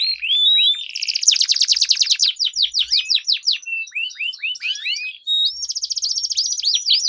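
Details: Duelling canaries singing as a lure for silent or competition birds. A flat whistled tone breaks into a loud rapid roll, then varied twittering and a renewed bright trill.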